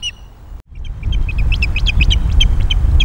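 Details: Wild osprey at a Scottish loch nest on a May morning, giving alarm guard calls as intruding ospreys appear, defending the nest and mate: a brief gap, then rapid high chirped whistles repeated in quick series over heavy low wind rumble.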